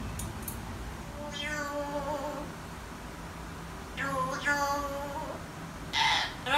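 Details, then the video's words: Amazon parrot kept as a pet, making a series of tonal, voice-like phrases. Notes glide and waver at mid pitch, come in three bursts with pauses between, and end in a brighter, harsher squawk. "Amazon parrot 亚马逊鹦鹉"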